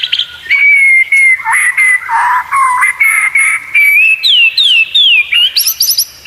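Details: Competition-training song of a white-rumped shama: loud, continuous, varied whistling with bubbling warbled passages, steady held notes and clear downward-slurring whistles, ending in very high, thin notes.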